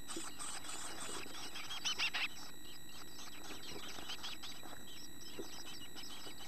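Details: Young chickadees in a nest box, nearly ready to fledge and exercising their wings, give a dense run of high chirps, with a brief louder twittering burst near the middle, over constant low background noise.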